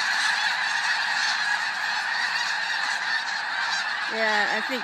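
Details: Snow geese, a flock of thousands taking flight on Fir Island: a steady roaring wall of high yelping calls, then a few clear nasal honks near the end, with people talking nearby.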